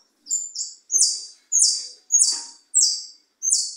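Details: Caged European goldfinch singing as a tutor bird: bright, high notes in short descending buzzy bursts, about one every half second, some doubled, with faint low rustling between phrases.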